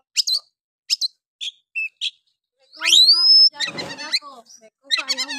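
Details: Oriental magpie-robin in harsh 'nembak' song used to rouse quiet males: a few short spaced chips, then a loud rising whistle, a rasping burst and mixed twittering notes.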